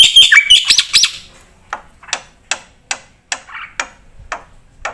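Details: Javan pied starling in vigorous full-repertoire song, used as a lure and tutor recording: a burst of loud, bright whistled and chattering phrases with rising loops, then sharp dry clicks repeated about every half second.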